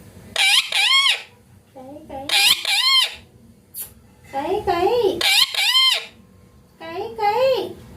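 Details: Talking parrot in continuous speech-like phrases: arched, harmonic syllables in pairs and groups, separated by short pauses, with a brief high hiss in the middle.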